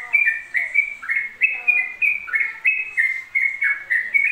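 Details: Nonstop ropel song of a yellow-vented bulbul: quick, liquid whistled phrases jumping between higher and lower pitches in a steady, chattering stream, with faint low sounds in the background.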